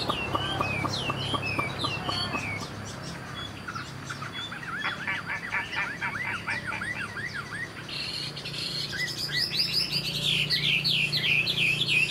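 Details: Caged young Chinese hwamei, a bird of this year, flicking its tail while singing: a rich, rapid run of varied whistled notes and sweeping slurred phrases, quickening into dense repeated trills, over a low steady background hum.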